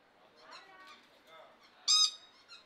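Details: Lord Derby's parakeet at Belgrade Zoo in May 2022 giving a single loud, brief, harsh squawk near the end, after soft background chatter.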